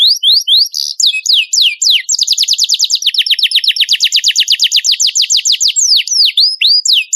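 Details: Canary singing training material for competition birds: a few swooping whistled notes, then a long, rapid roll of falling notes, ending in upward and downward slurs.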